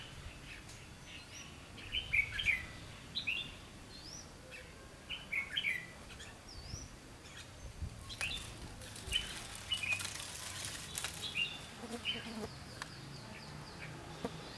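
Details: Red-whiskered bulbul acting as a decoy bird during trapping on 1 September 2016, singing to provoke wild rivals. Short bright whistled phrases, some with quick slurred notes, come every one to two seconds over a rustling outdoor background.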